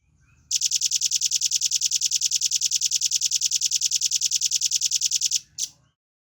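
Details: A velvet-fronted nuthatch kept as a cage bird in Indonesia gives a dense, clear trill. Bright, very high notes follow at a steady fast pace for about five seconds, then break off, with one last short note after a pause.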